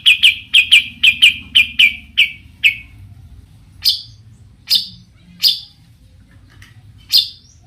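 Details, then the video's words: Long-tailed shrike singing to provoke other shrikes: a rapid run of about a dozen clear whistled chips, about two per second, fading out, then a few sharper high harsh notes spaced about a second apart. "cendet gacor Variasi BIANGNYA bikin cendet lain emosi ikutan bunyi langsung NYAUT"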